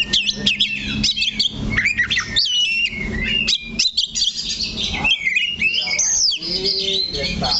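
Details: Oriental magpie-robin in a cage, perched fixed on one point, delivering a lively medley of sharp chirps, whistled slides and short trills in quick bursts.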